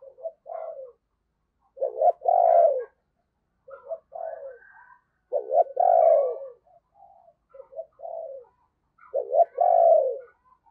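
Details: Spotted dove used as a decoy to lure wild birds, with a 'thunder-gourd' voice style. Low, mellow multi-note coos, each phrase ending in a longer drawn-out note, repeated about every two seconds in a quiet setting.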